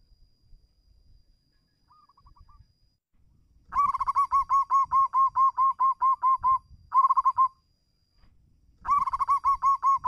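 A zebra dove gives bursts of rapid, soft, rolling coos, calling out to a rival.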